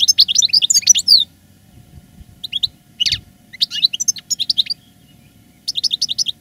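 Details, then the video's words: Caged veteran goldfinch singing in the reclamo style, recorded live in 2017 after moulting: a rapid run of bright twittering notes, short scattered chirps with a brief buzz, then another quick twittered phrase on a quiet background. "Canto del jilguero "el arrugao""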